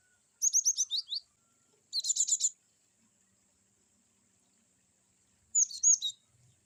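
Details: Cinereous tit (glatik batu), a kept songbird, giving a varied wucit-wucit song used to train other birds: three bursts of quick, high, sharply falling chirps, with a steady faint high whine behind.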